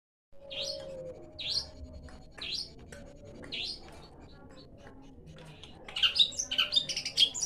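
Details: Asian pied starling singing: sharp, high chirped notes spaced about one second apart, turning into a dense burst of squeaky, whistled phrases near the end, with a faint steady low whistle early on.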